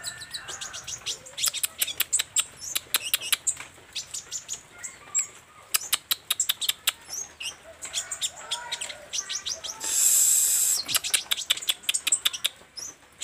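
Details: Olive-backed sunbird singing energetically, running through its repertoire as a rapid string of sharp high chips, about two or three per second, with a few lower whistled notes and a sudden hissing burst near the end.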